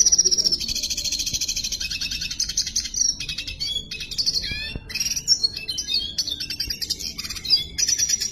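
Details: Red siskin in continuous song, a bright, high-pitched stream of fast buzzy trills, scratchy twitters and short falling slurs, delivered in rapid unbroken phrases.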